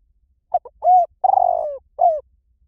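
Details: Spotted dove cooing, from a Thai recording meant for luring doves to a decoy. One phrase: two clipped notes, a smooth coo, a long pulsing coo that slides downward, then a short final coo. The background is otherwise silent.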